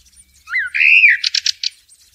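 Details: Blackbird in nature giving one low, rich, whistled warble that slides down, followed by four quick, high, scratchy notes in a row.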